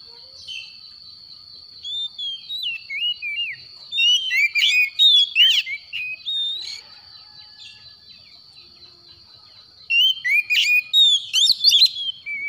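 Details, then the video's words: Morning song of a kept white-rumped shama recovering from stress: two bursts of loud varied whistles, rapid slurs and sharp upsweeps separated by a quiet pause, with a constant high tone behind. "PANGGILAN KACER PAGI HARI"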